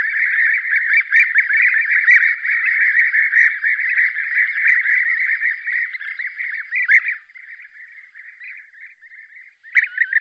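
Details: A spring 2023 hunting lure recording of European bee-eaters: a flock's rolling, purring 'prruip' calls overlap in a steady chorus for about seven seconds, then fade to softer scattered calls before a final loud burst.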